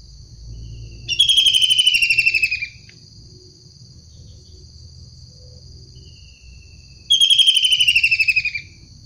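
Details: Two harsh, rasping, finely pulsed calls of a wild long-tailed shrike, each about one and a half seconds long and falling slightly, separated by about five seconds of quiet low background noise.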